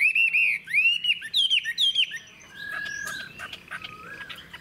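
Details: Loud arching whistles from a caged, wild-caught adult Chinese hwamei with a long body and fig-leaf tail, several rising-falling notes in quick succession, then softer buzzy chirps and a thin drawn-out whistle.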